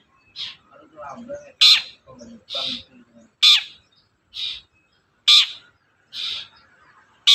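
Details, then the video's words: Long-tailed shrike repeating harsh, grating notes roughly every second, alternating louder and softer ones, as a lure to get a silent shrike to respond; soft low chatter underneath. "BURUNG CENDET GACOR DOR, MEMANCING CENDET DIEM AUTO NYAUT GACOR"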